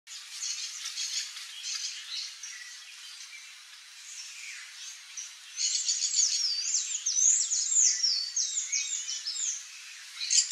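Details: Palm tanager singing a fast, squeaky, high-pitched twitter of short slurred notes, quieter and scattered at first, then louder and denser in the second half.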